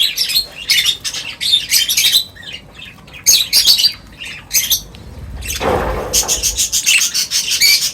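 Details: Several birds gathering for a meal at feeding time, giving dense bursts of high, sharp chirps and squawky notes in rapid clusters, with a brief low rustling thump midway before the chirping resumes.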